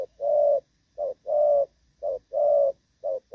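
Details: Spotted dove, "thổ pha" voice, cooing well though moulting: low, steady coos alternating short and long notes, roughly one pair per second.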